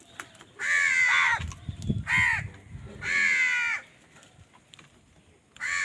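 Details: Crows in a fight over food: long, drawn-out, harsh, nasal caws, each around half a second to a second, four calls in six seconds with brief pauses, some low rustling underneath.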